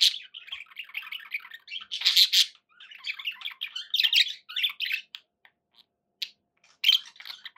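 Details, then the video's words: Several pet budgerigars warble softly and steadily, punctuated by loud raspy squawks, then the chatter thins toward the end into isolated chirps. "11 hours of budgie sounds"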